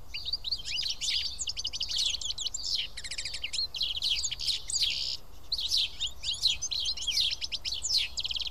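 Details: House sparrows gathered to feed at Karyotissa, Greece, give a lively jumble of clipped chirps and rapid twitters, rising and falling in loudness as birds call over each other.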